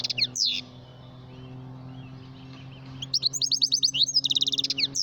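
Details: Goldfinch calling: bursts of rapid, high twittering notes, a short burst at the start, then a pause, then a long fast run of bright tinkling chirps to the end over a low steady hum.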